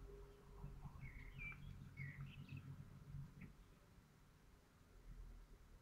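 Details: Common kestrel at its nest in Théding, France, on 14 May 2023, calling while laying a white egg: short thin whining notes in a quick uneven series, with soft low rumbling and rustling underneath.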